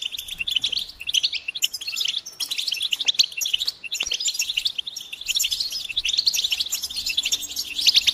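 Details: Stimulation batbata of several European goldfinches, with mating and readiness calls to draw males out of silence; long, dense stream of liquid twitters and buzzy trills, briefly dipping near the middle, then resuming at full intensity.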